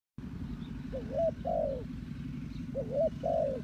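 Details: Spotted dove used as a decoy bird to lure wild doves, giving mellow two-part coos: a rising note and then an arched, drawn-out croo, repeated in pairs over a low rumbling background.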